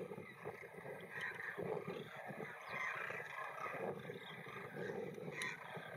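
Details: Thousands of Demoiselle Cranes flying and feeding over a field in India give a constant murmuring chorus of overlapping trumpeting calls, with short sharper notes rising above the din every second or so.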